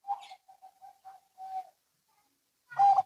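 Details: Zebra doves, local and Bangkok, answering each other. Soft short coos come in an uneven row, then a longer held note. A brief louder, rougher call closes the exchange.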